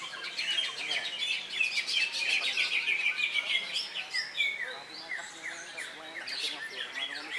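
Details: Greater green leafbird competing at the Latpres Utama Delta Kencana Indonesia contest, Saturday 3 September, after its moult; a buzzy rattling burst gives way to repeated sharp whistled upslurs and downslurs, several birds singing over one another.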